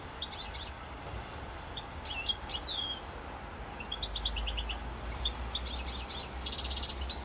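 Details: European goldfinch singing in Corsica on 7 November 2022: scattered high tinkling notes and short twittering trills with pauses between phrases, over a steady low hum.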